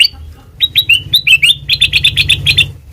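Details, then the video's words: Lively black-crested bulbul song used as a trapping lure: varied whistled notes speed up into an even run of about ten quick, bright chirps, with soft low rumble beneath. "Suara Asli Kutilang Emas Pancingan Pikat Masteran"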